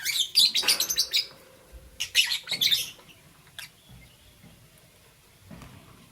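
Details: Morning chirping from lovebirds in green, yellow and lutino colours: dense clusters of shrill, rapid high-pitched chirps in two bursts over the first three seconds, then mostly quiet with one faint later note.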